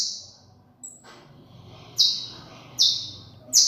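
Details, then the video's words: A few high, sharp saffron finch notes, one faint thin whistle and then three strong downslurred chips near the end, with gaps of quiet between. "Canto de Canario criollo"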